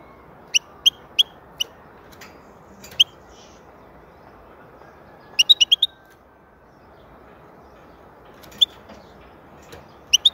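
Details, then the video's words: European goldfinch, saka in Turkish, calling with sparse single sharp chirps spaced under a second apart, then a rapid run of five twittering notes, followed by further isolated high chirps across ten seconds. "Huzur verici saka sesi mūkemel"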